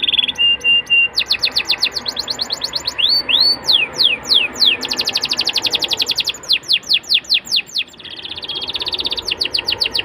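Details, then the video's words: Canary singing to encourage young canaries to start singing, mixing steady high rolls, looping upswept notes and rapid tours of falling whistles, with a softer trill near the end. "PANCINGAN KENARI MUDA AGAR CEPAT BUNYI DAN GACOR CENGKOK ENAK! kenari Manapun akan langsung nyaut"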